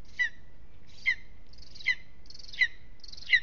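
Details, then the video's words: At its Aizkuja aspen nest in Latvia one evening, a lesser spotted eagle gives five shrill, descending yelps under a second apart. Later notes carry a brighter, harsher top edge, and faint low noise runs throughout. "A restless evening in the nest LVM Mazais ērglis Aizkuja, apse 2 - Lesser Spotted Eagle"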